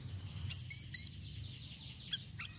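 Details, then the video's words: Sirisiri bird singing lively, varied phrases for luring other birds: three loud sharp high chirps close together, then softer fading twitters, against a faint low hum. "GACOR UNTUK PANCINGAN BURUNG SIRISIRI DENGAN VARIASI SUARANYA"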